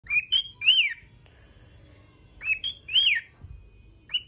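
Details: A happy cockatiel (Nymphicus hollandicus) sings bright, arching whistled phrases, each rising then dipping, in two quick bursts.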